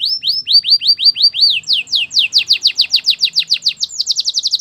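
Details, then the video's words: A Belgian canary sings quick, high rolls: upswept notes about five a second, then faster falling sweeps, ending in a rapid trill. "Belgian canary singing"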